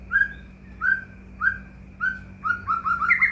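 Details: White-rumped shama song used as a lure to make other shamas sing: four clear slurred whistles about every 0.6 seconds, then a rapid run of rising whistled notes, over a low steady hum.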